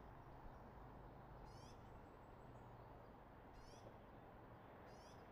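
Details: Eagle calling from a nest in Redding on a camera feed, 24 March 2022, 06:34: three brief high-pitched chattering bursts spaced a couple of seconds apart over constant low hum and broadband noise.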